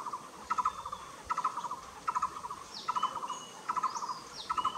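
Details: Blue-throated barbet at Nam Nao repeating a loud, rolling trill of quick low pulses about every 0.8 seconds in steady rhythm; sharp high chirps and slurred whistles of other birds sound in the background.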